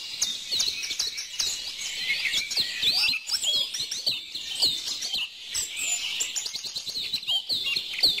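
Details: Birds chattering and singing together, a lively stream of sharp chips, rising and falling whistles and brief trills, with a few louder notes near the end.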